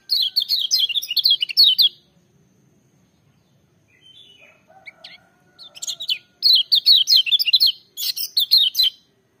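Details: Loud, full-voiced song of a lemon-bellied white-eye: a two-second burst of rapid, high, chattering notes, a quiet gap with soft lower notes, then two more fast twittering bursts.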